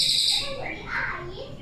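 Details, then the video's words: Captive forktail (cililin) song used as tutor for songbirds: a thin, hissing high note then brief whistled slurs in a quick burst, with a faint murmur of a man's voice behind. "cililin gacor"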